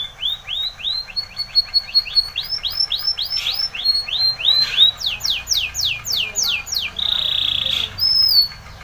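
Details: Spanish Timbrado canary in full training song: a long series of upswept notes gradually quickening, then bold falling strokes, closing with a buzzy sustained tone and a short rising whistle.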